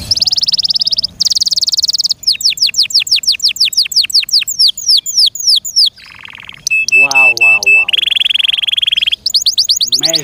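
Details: Caged canary singing loudly: steady high buzzy trills, runs of quick downward-sweeping whistles, a low rolling warble and sharp ringing notes, the phrases changing every second or two.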